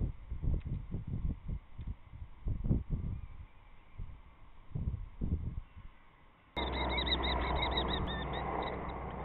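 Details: Common kestrel (Falco tinnunculus) in a nest box on March 27th: dull thumps and scrapes, then a shrill, rapid string of high repeated notes over a steady hiss as the resident female defends the box from a newcomer.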